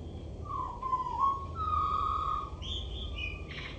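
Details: Common blackbird singing from a roof gutter: low, mellow fluted whistles drawn out and slightly wavering, followed by a higher, thinner twitter, over steady low background rumble.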